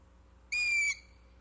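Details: A young Long-eared Owl gives one high, squeaky, drawn-out note, thin and even in pitch and under half a second long, against a quiet background. This is the juvenile call listened for in summer surveys (July 1 to August 14); young have the cadence but not the adult voice.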